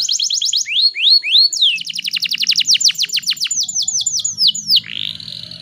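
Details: Female canary in heat singing to stimulate males and make other canaries sing: clear whistled notes, then rising slurred phrases and a fast run of repeated downward-sweeping chips, close and loud, with faint low hum beneath.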